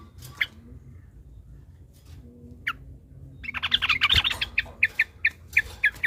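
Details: Sooty-headed bulbul giving a long rapid song meant to provoke other bulbuls into singing. Faint isolated notes come first, then a dense burst of chattering, bubbly notes and a run of quick repeated chirps.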